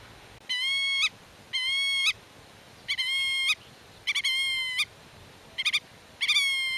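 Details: Black-tailed godwit guarding its territory and chicks concealed in the grass gives a fast series of level, nasal, reedy calls, some drawn out, others clipped into quick doubles and triples near the end.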